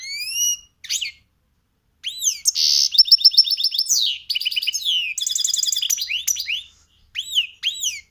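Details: A goldfinch × canary hybrid in cold weather, seemingly a bit chilled, sings a goldfinch-copied song with possible canary notes: high rising whistles, rapid buzzy trills and twittering phrases, with brief pauses between bursts.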